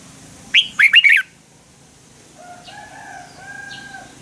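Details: Red-whiskered bulbul fighting song, a morning lure for training birds to sing harder; one crisp phrase of four fast, bouncing whistled notes, followed by a quieter, steady tonal sound in the background.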